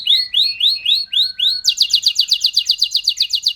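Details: Canary singing a champion-style song, with rising whistled notes repeated about every third of a second, a long thin steady tone, then a fast run of bright rolling trills.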